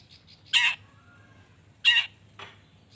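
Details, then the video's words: Long-tailed shrike, voiced to goad other shrikes into calling back, gives two hoarse rasping shrieks followed by a weaker, shorter third note, with a faint hum behind. "Cendet Gacor Pagi Siang Sore...Merangsang Emosi Cendet Manapun Agar Cepat Nyaut Emosi Dan Ikut Bunyi"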